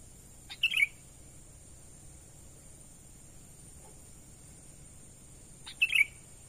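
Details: Sooty-headed bulbul natural lure call heard twice about five seconds apart, each a short chirp running into a quick bright warble, with quiet hissing and a constant high whine between the calls.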